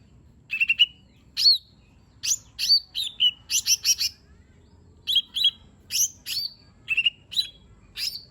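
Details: Lesser green leafbird song full of fill-ins, used to prompt a reluctant bird to sing: short bursts of crisp whistled slurs and chips in quick groups, separated by brief silences.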